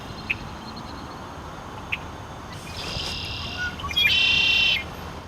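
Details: Red-winged blackbird in a cattail wetland near Missoula: two sharp chip notes, then a harsh buzzy burst and a high rasping trill under a second, over steady outdoor noise; males display red wing patches to defend territory.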